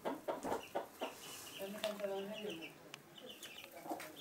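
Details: Indoor hen with chicks at Sandoval de la Reina, April 2016, uttering a drawn-out low, throaty cluck among short clucks, while the chicks peep high and quietly in the background.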